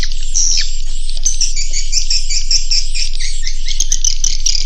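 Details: Many edible-nest swiftlets giving the roosting call that farmers use to lure young swiftlets in to roost: an unbroken high, hissing, buzzy chatter with thin whistled notes woven through.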